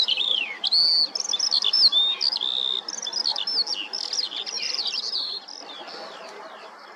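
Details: Common linnets in summer, a male in full breeding plumage calling to attract a female who calls back, give a rapid, jumbled stream of high twittering notes and short rising trills with quick chattering phrases fading near the end.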